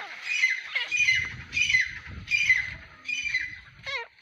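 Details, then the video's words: A female grey francolin (teetar) gives harsh, squawking high notes in short bursts about every three-quarters of a second, ending with a wavering whistle, over a low rumble. "Gray francolin teetar sound|female teetar awaz"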